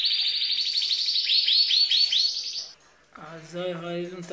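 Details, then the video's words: Green hen canary singing like a cock bird, said to stimulate males. Rapid high trilled phrases with repeated arched notes, then a pause and a man speaking. "انثى كناري تغردFemale canary singingكلذكر وتهيج الذكور"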